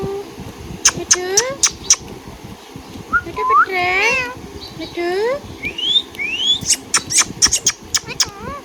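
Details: Indian ringneck parakeet kept as a pet chatters busily. Sharp chirps come amid curving whistles and a dense harmonic warble midway, then rising slurred whistles and a final flurry of chirps.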